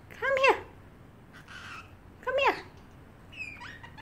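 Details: Pet parrotlet in a cage gives cat-like meows: two short, arched, whiny mews about two seconds apart, with a fainter buzzy note between and a thin high whistle at the end, indoors.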